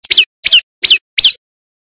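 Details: Four shrill, steeply dropping notes from a loud male bar-winged prinia, used as a lure for birds in the wild, each note brief and evenly spaced.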